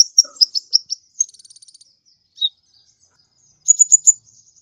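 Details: A sunbird (konin), used as a tutor call, sings very high, sharp chirps, then a quick dry trill of ticks, followed by a brief burst of bright, rapid notes.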